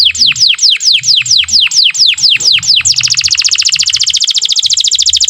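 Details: Canary song with luxurious variations for tutoring young canaries learning to sing; slower, looping downward whistles repeat roughly three times per second, then shift abruptly into a fast, rattling trill.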